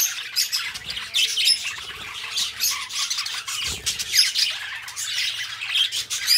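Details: Two pet budgerigars, described as best friends, singing and talking: a dense, continuous buzzy warble of chattering, scratchy notes with brief squawks and a few clear whistled bits, steady throughout with faint low thumps.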